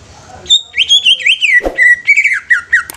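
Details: Young greater green leafbird, used to stimulate other leafbirds, singing a rapid run of bright whistled notes, each sliding down, with a sharp chirp in the middle and short buzzy overtones.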